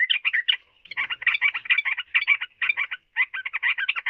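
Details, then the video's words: Yellow-vented bulbul pouring out a rapid, gurgling babble of short, varied chirps and slurred notes in dense bursts, with a few short breaks. "Burung Trucukan Kicau Mania"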